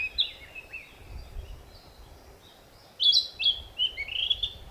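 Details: Narcissus flycatcher singing to declare its breeding territory: soft distant whistles at first, then after a lull a loud burst of sharp, rising and falling whistled phrases.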